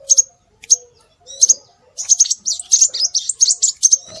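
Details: Scarlet minivet calls played as a lure to attract birds: thin, high whistled notes, often paired, repeated in quick bursts. A denser run of overlapping chirps follows midway.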